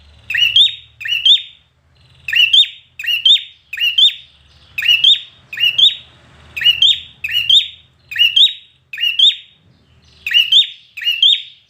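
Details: Red-whiskered bulbul trained for competition singing, giving loud, clear, fast two-note whistled phrases, each rising then sliding down, repeated about every second with brief gaps; faint low hum underneath.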